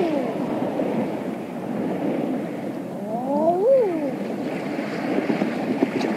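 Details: Eider calling on the water offshore on a late spring evening: one soft, moaning coo that swoops up and falls away midway through, over a constant rushing wash of waves.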